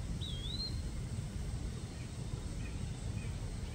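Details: An Eastern wood-pewee, a backyard bird calling in the morning in Kansas City, Missouri, gives one high, slurred whistle that dips and then rises, followed by a couple of faint short notes, with a steady low rumble throughout.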